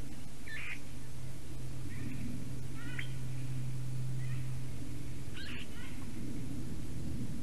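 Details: At a Latvian black stork nest on the morning of 11 April 2019, a visiting Eurasian jay sings quietly: scattered brief chattering and rising mewing notes every second or so, with a constant low mechanical hum beneath.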